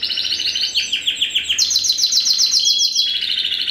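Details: Spanish Timbrado canary, a first-generation cross with wild canary (Serinus canaria) bred in 2015, singing a dense run of rapid repeated metallic notes, then a bright sustained trill of fast pulses.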